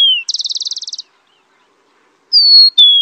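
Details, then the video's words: Rufous-collared sparrow song: the fast buzzy trill closing one phrase, a silent gap, then the high and lower slurred whistles that open the next. "SUARA HEWAN SUARA BURUNG TICO TICO"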